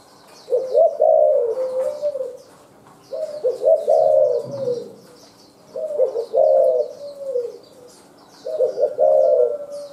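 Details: A wild-caught spotted dove gives soft, mellow cooing phrases, about one every two to three seconds, with high twittering of small birds behind.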